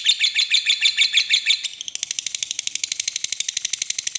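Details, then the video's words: Lovebird of the fighter type singing a ngekek trill: ringing chattering notes at first, then a faster, thinner, steady chatter after a short break. "Suara Burung Lovebird Ngekek Panjang"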